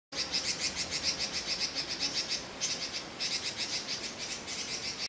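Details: Red-billed leiothrix giving its contact call: a steady string of thin, high chip notes repeated about three times a second, pausing once briefly, over a quiet hiss.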